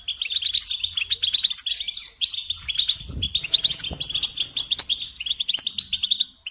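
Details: European goldfinch singing nonstop, used to teach songbirds: busy, tinkling twittering with rolling trills and scattered higher chirps, plus a soft low rustle midway.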